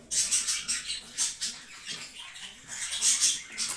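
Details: Caged green lovebirds giving rapid, shrill chirps in pulses about four to five per second, high and scratchy, forming a steady excited chatter.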